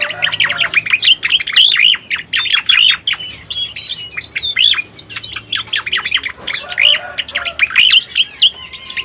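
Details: Cica koreng, the striated grassbird, recorded as a lure sound for trapping: busy run of quick, bright chirps and downslurred notes in an almost unbroken chatter, with a few higher whistles.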